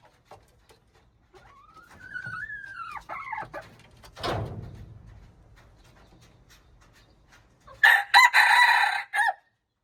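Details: Junglefowl recorded on March 19, 2025: a drawn-out, wavering crowing phrase lasting about two seconds, then a single sharp thump and, near the end, several loud harsh bursts.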